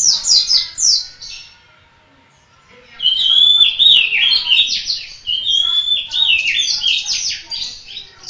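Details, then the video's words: Pleci, the Indonesian white-eye, local Malang bird in persistent song: a brief high twitter, a quiet gap, then sustained rapid chirping with piercing whistled notes and quick warbled phrases. "Burung Kacamata Pleci - Mata Puteh Gacor"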